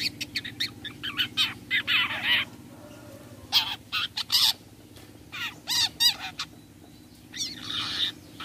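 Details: Harsh call of a long-tailed shrike, played to lure other shrikes into calling back: rapid grating notes and rasping bursts, a pause, then more scratchy rising phrases over a faint hum.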